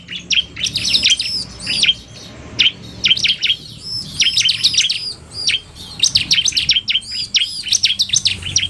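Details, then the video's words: Male bar-winged prinia in 'narung' style with a fast female, semi-active: rapid bursts of piercing, high chirps with sweeping downstrokes, grouped in chattering clusters separated by brief gaps, steady faint low hum. "Kombinasi Suara Ciblek NARUNG dan Betina Cepat"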